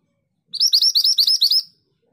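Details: Scarlet minivet, an insect-eating forest species, giving a single run of about nine fast, sharp, upslurred high whistles packed into just over one second, clear and loud against near silence.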